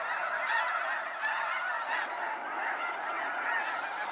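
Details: Huge numbers of snow geese calling during a sunset fly-out at Sacramento National Wildlife Refuge, a steady, even blur of nasal honks with one brief click.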